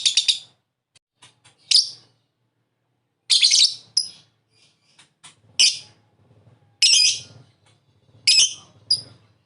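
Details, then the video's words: Lovebird giving loud, harsh squawks in irregular bursts, some doubled, separated by pauses with faint clicks and a low hum. "Masteran Burung lovebird Ngekek"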